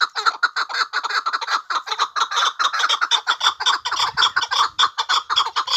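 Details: Chukar partridge kept for hunting giving a continuous chatter of grating chuck notes, steady and rapid throughout, with a faint low rumble in the background.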